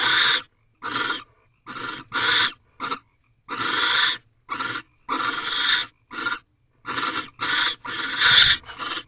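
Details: Barn owl pair, female and male, mating and bonding in an owl box in the night of 4/6/23 at 2:16 am: loud rasping hissed screeches in short separate bursts, irregularly spaced, some clipped and brief, others drawn out.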